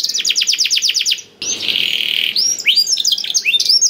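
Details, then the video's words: Singing canary, meant to spur silent canaries into song: a quick series of descending whistled notes, a brief gap, a sustained buzzy note, then sharp rising and falling chirps. "KENARI GACOR DOR INI MEMANCING KENARI YANG SUSAH BUNYI JADI IKUT GACOR"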